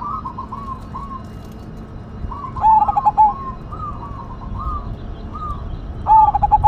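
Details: Zebra dove, Cemani Majapahit type, noted for a big voice: two bright, stuttering coo phrases of quick pulses with a drawn-out final note, answered by softer, distant cooing from further doves.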